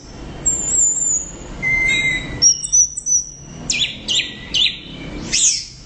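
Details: Orange-headed thrush in loud song. A long thin high whistle leads into a lower whistled note. A run of sharp clipped notes follows, then four or five rapid downward-slurred chirps and a final sweeping whistle.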